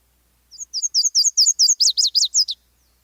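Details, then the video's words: Nashville warbler song: a very distinctive two-second, two-part song, a string of high, sweet paired notes followed by a slightly lower, richer run of notes, with no other sounds. "Let's listen to a Nashville warbler."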